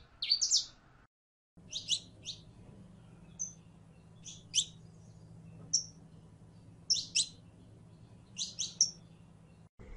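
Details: Female canary in heat calling a male to mate: short, sharp high chirps, often doubled, spaced irregularly about once a second, over a steady low hum with a brief silent gap.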